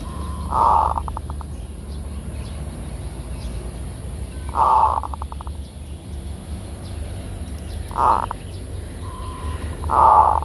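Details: Zebra dove singing in full kerot lure style: four cooing phrases, each a rough trilled note trailing into quick clipped pulses, spaced three to four seconds apart over a steady low hum.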